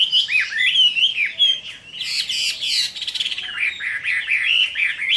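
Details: Chinese hwamei fighting song at summer midday, rich slurred whistles broken by a harsh, buzzy burst mid-phrase, then more rolling, looping whistled notes.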